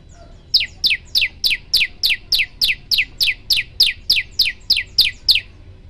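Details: Prenjak lumut prinia singing a continuous burst meant as a training tutor: seventeen clipped, descending high notes fired rapidly and evenly, roughly three per second, with no pauses and little background noise.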